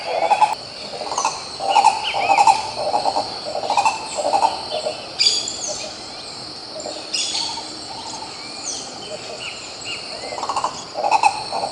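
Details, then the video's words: Green ibis, called coro-coró, recorded in Pirenópolis, Goiás, Brazil: rolling, hoarse low notes in quick bursts repeated through the clip, over a steady high insect drone, with brief louder broadband sounds from other birds. "Canto do Pássaro Coró coró, Som do CORO CORÓ CANTANDO"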